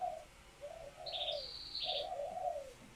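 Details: Female spotted dove in laying condition, kept by a keeper, calling to excite males into cooing back and pairing; soft, low hoarse coo notes, with thin high chirps of another bird over them.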